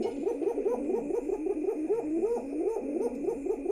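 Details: Loving pigeons cooing inside their pigeon house, low burbling notes pulsing steadily and rapidly, with several birds' coos overlapping in a small room.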